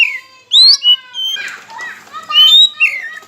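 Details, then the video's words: Oriental magpie-robin singing as a lure meant to stir rival birds to sing: bright rising and falling whistles, with a brief scratchy, noisy passage in the middle. "Pancingan KACER Macet Bunyi, Sekali Dengar Langsung Emosi!"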